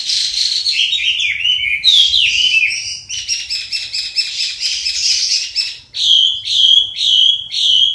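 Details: Hwamei (Garrulax canorus) from southern China in full song, giving varied, tumbling whistled phrases that end in a series of short, ringing whistles repeated about twice a second.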